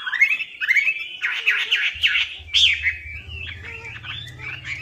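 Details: Melodious laughingthrush (Chinese hwamei) lure song: rising whistles, then a quick run of trilled notes and a sharp high whistle, with varied phrases continuing over a steady low mechanical hum.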